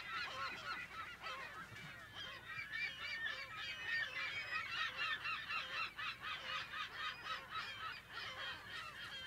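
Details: California gulls calling in a breeding colony, recorded in mono at close to medium range: a dense, continuous chorus of overlapping harsh, wavering mewing calls from many birds, with no single voice standing out.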